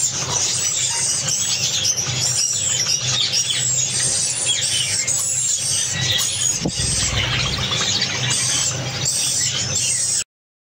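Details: A pair of Axe Java sparrows from Malaysia keeps up a dense stream of high, thin chips and arching twittery notes, overlapping without pause, over a steady low mechanical hum.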